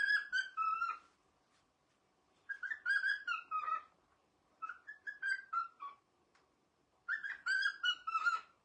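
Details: A pet cockatiel, said to be showing off and making a new sound, gives short bursts of clear, warbling whistled notes, repeated about every two seconds.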